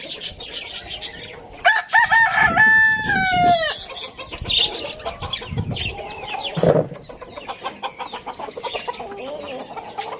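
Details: Rooster crowing in the morning in a farm village: one loud harmonic crow lasting about two seconds, holding steady then dropping at the end, amid constant high twittering of small birds and scattered clucks.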